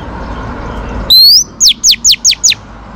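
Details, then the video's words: Female Oriental magpie-robin song meant to stimulate males during training. A single loud upslurred whistle is followed by five evenly spaced, sharply descending notes about a fifth of a second apart. "chòe than mái kích trống căng lửa.chim chích chòe than mái hót"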